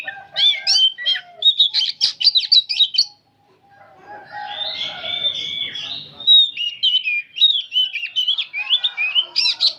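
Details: An aged oriental magpie-robin delivers nonstop 'nyerecet' chattering song, dense runs of shrill, rapid, twisting high notes, a brief hush near three seconds, then further fast warbled phrases to the end.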